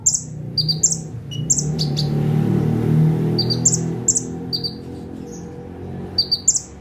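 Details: Bar-winged prinia giving 'tembakan' song from one perch: sharp high paired chirps at the start and end, while a louder low rumbling noise fills the middle section.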